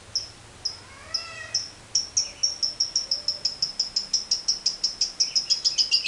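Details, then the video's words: Lovebird chattering in the 'ngekek panjang' style, used to lure other birds into song: spaced sharp high chirps with a few soft rising whistles, speeding into a steady run of clipped notes. "LOVEBIRD NGEKEK PANJANG"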